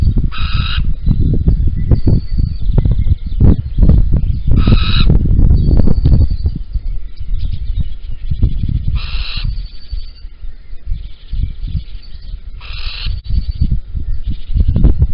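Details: Male little owl with a caterpillar at Holten, early morning of 16 April 2020, female away; a series of five short rasping screeches at irregular intervals over heavy low-pitched rumbling and knocking noise.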